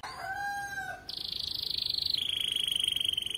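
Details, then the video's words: Canary training song fragment: two soft low whistled tones, then a bright sustained rolling trill that steps down slightly in pitch and continues evenly to the end. "Canary' s most powerful song - spectacular video training canary singing bird"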